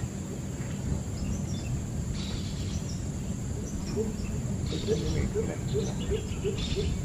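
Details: Lesser coucal (Centropus bengalensis) giving a run of low, hollow hoots, about three a second, in the second half, with a steady high insect whine, faint chirps and a low rumble behind.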